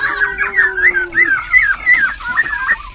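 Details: A caged White-cheeked Laughingthrush in Binh Chanh, Ho Chi Minh City, singing all day and fanning its tail as it sings: a fast, varied run of clear warbled whistles, several notes a second, faint low hum under the first half.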